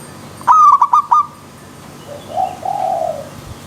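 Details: Zebra dove cooing song: one rapid phrase of a sharp opening note and four rolling coos, followed by softer, lower drawn-out notes from another bird; low background hum.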